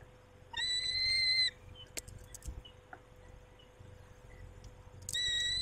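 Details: At a peregrine falcon nest on 23 May 2021, 19:40, where the male tends the females: a single loud wailing note, then quiet clicks and scrapes, then another wail begins at the end. A low hum runs throughout.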